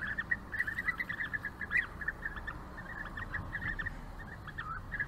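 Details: Several European bee-eaters around a courtship food gift keep up a busy chorus of short, burry, rolling calls in rapid overlapping bursts, over soft low background noise.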